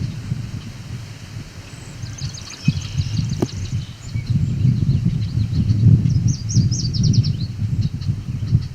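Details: A male Yellow Warbler sings in edge habitat near Cape Chin North, Ontario, Canada, on 17 July 2019: two short, bright phrases of quick high notes, sweet-sweet-sweeter, over a heavy low rumble of wind.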